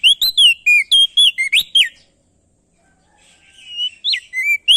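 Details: Male ashy tailorbird from Nusa Tenggara delivering a loud lure song meant to make other birds sing: a quick series of clear whistled notes, a second of silence, then more rising and falling whistles.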